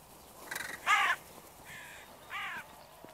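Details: Crows calling on an evening: four harsh, nasal caws spread over about three seconds, the second the loudest, with a soft steady background hiss.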